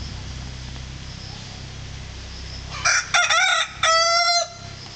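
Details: Malnad naati rooster, a heritage breed from the Western Ghats region that manages a flock of hens, crowing after three quiet seconds: a few short, harsh broken notes, then one long, steady, ringing final note over a low background rumble.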